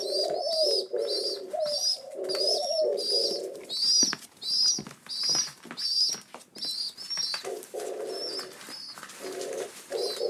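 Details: Rock pigeon chicks in care on their seventh day after rescue, waiting for breakfast indoors; a rapid, regular run of high squeaky peeps repeats against lower buzzy cooing bursts, with some pauses and soft knocks.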